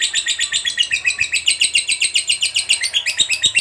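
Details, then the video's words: Continuous ngekek from a fighter lovebird, meant to spur other lovebirds into song: a fast stream of high, harsh chirps, roughly four per second, churning steadily through the whole stretch. "Suara Burung Lovebird DURASI PANJANG, TERBUKTI Paling Cocok Buat Pancingan Labet Agar Cepat Ngekek"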